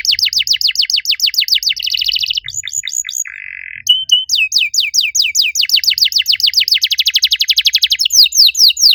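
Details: Canary singing a master song used to coax silent canaries into song: rapid sweeping downslurred notes in fast runs, a short buzzy low trill midway, then long fast rolling trills of repeated high chirps, loud and continuous throughout.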